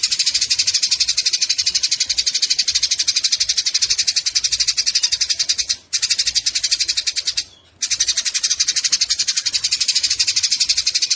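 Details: Eurasian tree sparrows in a fight, recorded as training audio for songbirds: an unbroken stream of rasping, high chattering notes, roughly four per second, interrupted by two short silences.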